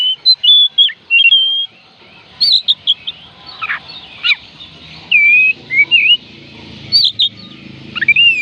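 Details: Whistled song of an oriental magpie-robin, meant to coax sluggish birds into singing: varied clear looping whistles and slurred notes in separate phrases, with short breaks and a constant faint hiss.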